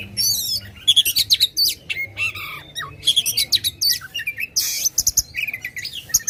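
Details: Loud Oriental magpie-robin song meant to rile contest birds: dense run of sharp chirps, clicks and rattling bursts mixed with short whistled slides, delivered in quick stuttering pulses with no pause.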